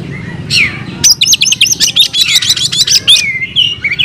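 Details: An oriental magpie-robin (kacer) sings its fighting song, opening with a falling slurred whistle, then a fast burst of harsh chattering and varied mimicked notes ending in thin whistles.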